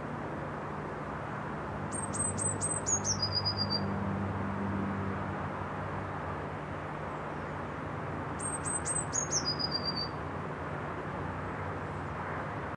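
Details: Eurasian blue tit (Cyanistes caeruleus) song: two phrases about six seconds apart, a few thin, very high notes, then a lower, quick trill, over a steady low rumble.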